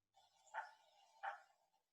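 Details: A common merganser (goosander) in the Yampa Valley in summer gives its call: two rough, muffled, croaking "woof" notes about three-quarters of a second apart, over a low steady background hum.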